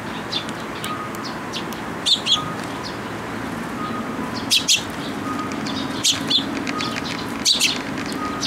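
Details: Eurasian tree sparrow fledglings that came to a post to be fed at a Tenmangu shrine on 28 May 2022; short sharp chirps in scattered pairs and bursts over a steady low hum.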